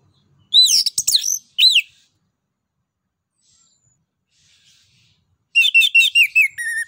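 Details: Orange-headed thrush (anis kembang) singing loudly to spur other birds into song: a burst of whistled, warbled notes, a long silence, then a fast run of repeated chirping notes.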